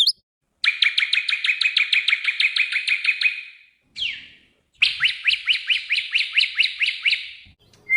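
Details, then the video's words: Magpie-robin song played to coax a silent caged bird back into singing: two long, rapid buzzy trills of evenly repeated notes, separated by a brief downslurred whistle. "Audio Refleksi atau latihan untuk burung murai yang mogok bunyi"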